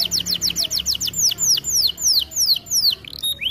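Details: Canary training song: a run of fast falling chirps, then slower, longer downward-slurred whistles spaced about every quarter second, ending with a brief rising note.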